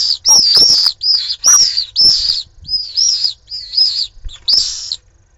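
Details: Shrill, piercing screams from pallid swifts fighting at their nest in Jerez de la Frontera, Cádiz, on a live nest camera. Loud screech after screech, each under a second long, run almost without pause, mixed with rustling and scraping.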